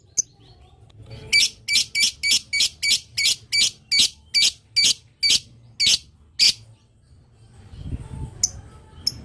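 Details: Lovebird chattering at length to draw answers from other lovebirds: one lone chirp, then a run of about fourteen buzzy, high, evenly spaced notes that slows toward the end, with faint chirps and rumble afterward.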